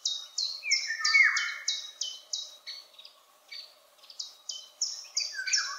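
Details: Far-off Eurasian golden oriole singing high up, its mellow descending flute phrases underneath a second bird's loud, sharp high notes repeated about three times a second.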